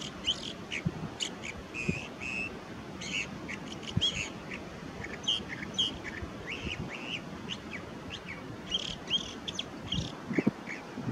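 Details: At Pillar Point Bluff, California, a California thrasher sings a long, rambling series of varied phrases, some harsh and some whistled, at a brisk pace over a steady low rumble of wind.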